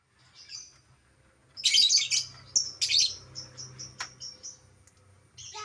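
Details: Albino lovebird giving sharp, loud chattering bursts followed by a row of short, thin high chirps, with a faint low hum behind.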